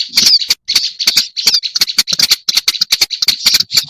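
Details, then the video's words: Black-browed reed warbler sound used as a lure: rasping, grating chatter in short bursts, punctuated by many loud percussive ticks and a brief silent gap midway through the first second. "Suara pikat burung kerak basi alis hitam"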